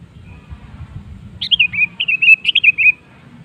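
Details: Sooty-headed bulbul pancingan song for getting other birds singing: after a quiet start, a lively run of about ten liquid, bouncing whistled notes, each sliding slightly downward, over soft low hum.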